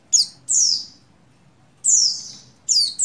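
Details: Breeding-condition female Oriental white-eye, subspecies buxtoni, calling to a male. Four very high, thin chirps slide downward, each clipped and echoing, with silent gaps between them.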